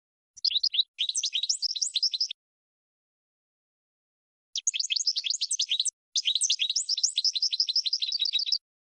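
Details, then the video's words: European goldfinch song: two long bursts of rapid tinkling, twittering notes, fast repeated trills and chirps between high and very high pitch, separated by a pause of about two seconds; no other sounds. "Top 10 GOLDFINCH Songs"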